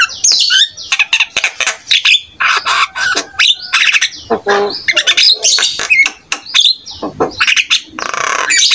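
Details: Jalak kebo starling singing actively, played so other starlings answer and imitate: harsh squawks, rasping bursts and scattered whistles in a busy, varied sequence with short pauses.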